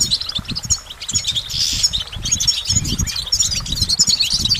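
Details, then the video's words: Goldfinch singing a dense, lively twitter of high jangling notes and buzzy phrases, steady throughout, with low rumble underneath. "Goldfinch Motivation Performance"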